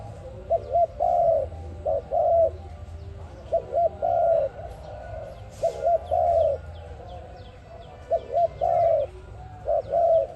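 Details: Dove calling, sound used as a lure for trapping: repeated three-part coos, two short notes then a longer sustained coo, phrases every two to three seconds, with faint chirps of other birds and low background rumble.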